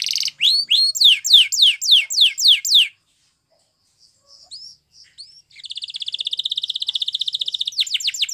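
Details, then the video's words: Canary singing a training song in Spanish Timbrado style: a fast run of repeated falling whistled notes, a pause with a few soft notes, then a long rapid buzzy trill and more falling whistles. "Unexpectedly, The Sound Of This Canary Attracted Many Canaries To Song"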